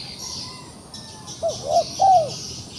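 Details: Trapped wild pigeon still fighting back: a faint low note, then three rounded, arched coos in quick succession, each louder than the last, against a constant high-pitched insect drone.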